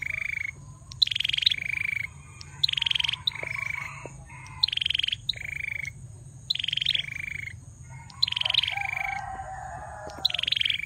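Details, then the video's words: Male bar-winged prinia singing energetically, phrase after phrase of a rapid buzzy trill followed by a lower wheezy note, repeated roughly every one and a half seconds; a faint lower warbling sound appears near the end. "Prenjak Belukar Gacor"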